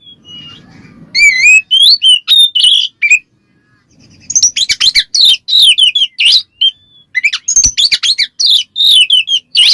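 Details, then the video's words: Kacer, the white-rumped shama, singing ngeplong to call a rival and rile other males: a rich run of whistles, slurred swoops and rapid chattering notes, pausing once briefly before a dense burst of varied phrases. "suara burung Kacer NGEPLONG memanggil lawan bikin Kacer lain EMOSI"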